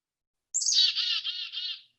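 A Black-capped Chickadee gives its namesake call: a sharp, high opening note followed by a run of buzzy, harsh 'dee-dee-dee' notes lasting just over a second.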